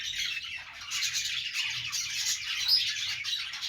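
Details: Playing pet parakeets keep up rapid, overlapping high chirps and harsh little squawks, a nonstop twittering wash that swells slightly in the middle.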